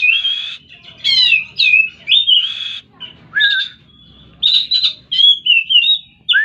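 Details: Oriental magpie-robin in full song, a rich varied sequence of whistled, slurred and trilled phrases given in quick bursts with short pauses.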